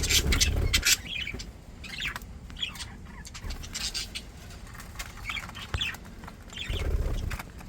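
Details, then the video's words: Several happy, healthy pet budgerigars twitter in scattered bursts of chirpy warbles, broken by thumps and rustling from the cage. "Happy Healthy budgies"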